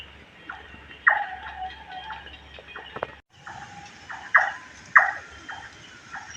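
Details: Large-tailed nightjars calling at night from a bamboo grove, as they do from nightfall till dawn, give a few sharp, knocking 'chonk' notes at uneven intervals over a steady background of night insects.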